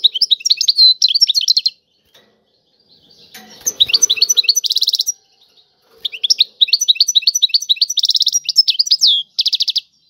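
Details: A European goldfinch sings tiwawati phrases in three bouts of rapid chirps and buzzy trills separated by silences, with faint rustling and handling noise during the middle bout.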